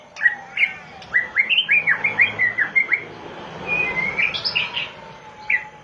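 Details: Oriental magpie-robin (binla) singing a quick series of short, sharp whistled notes, some rising and some falling, repeated several times a second, then a pause and a few higher warbled notes.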